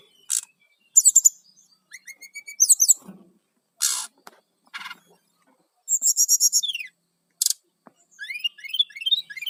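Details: Song of a brown-chested jungle flycatcher, used to lure wild birds: varied high twittering phrases, buzzy trills and sharp clicks, with rapid repeated notes and upslurred whistles, in separate bursts with silent gaps.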